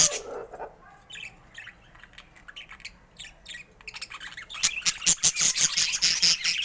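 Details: Colourful pet budgerigars, mostly quiet with soft scattered ticks at first, then breaking into loud, dense, buzzy warbling chatter for the final two seconds.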